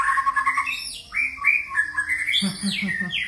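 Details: Many-voiced song of a white-rumped shama: bright whistled notes stepping up and down, a sharp high sweep, then a lower pulsed chatter under the closing whistles.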